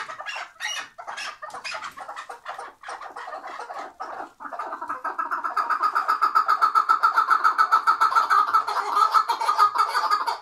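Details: Tethered chukar partridge from Şırnak, Turkey: scattered harsh chucks, then a long, steady, rapid rattle of pulsed, nasal notes that swells louder and continues for about five seconds.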